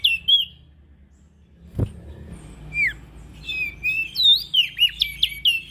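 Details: Ashy prinia, used as a lure for small birds: a lone chirp, a quiet gap with a sharp knock, then a building series of swooping, looping high chirps toward the end.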